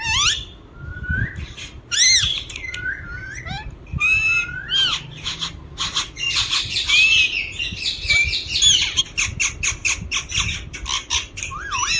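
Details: Green ringneck parakeet, a talking pet parrot, making mixed squawks and wavering whistled notes, building into a dense stretch of rapid harsh chatter followed by a string of short sharp clicks.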